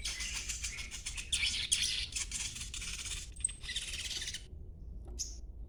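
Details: Young green-plumaged crimson sunbird chattering, used to lure other birds into answering; dense high buzzy twittering runs for about four seconds, then stops, with one last short chirp after a pause.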